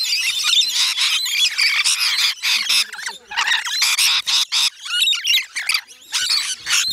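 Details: Rainbow lorikeets being fed on Magnetic Island, off Townsville in Queensland, Australia, call in pulsing bursts of shrill, grating screeches separated by brief dips, with a few faint voices underneath.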